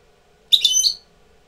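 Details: European goldfinch, a tutor bird coming into breeding condition, gives a single short twittering phrase of bright, high, slurred notes lasting about half a second against a quiet background.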